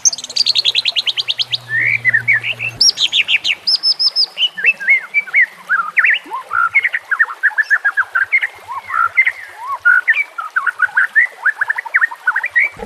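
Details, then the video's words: White-rumped shama (murai batu) delivering a long harsh 'nembak' style training song amid nature sounds and trickling water: a fast rattling trill, then a rich stream of rapid varied whistles, slurs and chirps continuing without pause. "masteran nembak kasar cocok untuk murai batu Kacer dan cucak ijo Murai Batu"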